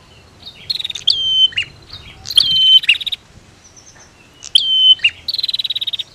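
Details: Female against male prinia, a recording meant to provoke singing. Shrill whistled phrases with falling flicks repeat in bursts, and the clip ends on a fast, even run of ticking pulses.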